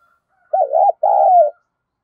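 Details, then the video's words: Spotted dove of the local 'giọng thổ' voice style giving an urging coo and calling: two low, rounded coo notes, the first wavering and the second longer and smoothly sustained, in otherwise quiet surroundings. "cu gáy thúc gù và gáy gọi cực đỉnh/ cu gay giong tho cuc dinh"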